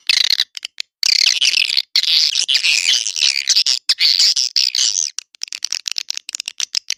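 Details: Edible-nest swiftlets, lure call for swiftlet houses: nearly continuous shrill, buzzy twittering chatter for several seconds, breaking into scattered rapid clicks toward the end.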